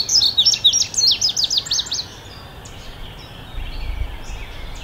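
An Indigo Bunting sings a bright, high run of quick paired notes for about two seconds, then falls silent over a faint low rumble.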